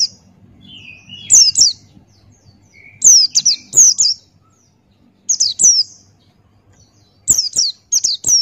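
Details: Male Buxtoni white-eye singing actively in forest style, a tutor recording for training birds: clusters of two or three sharp, high, falling chirps at irregular intervals, a few lower twittering notes early on, faint low hum.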